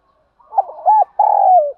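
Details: Spotted dove lure call for training caged birds; one phrase of short soft notes rising into a clipped coo and a long, slightly falling coo.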